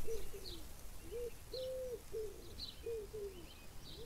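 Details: Low, throaty arched notes from a Chukar partridge, some drawn out and some paired in quick doubles, repeated through the recording while thin higher chirps sound in the background.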